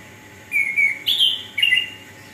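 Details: Orange-headed thrush singing actively, used as a lure to stimulate lazy birds to sing: three clear whistled phrases, the first a drawn-out slurred whistle, followed by two higher, buzzier bursts with sharp accents, over a quiet background.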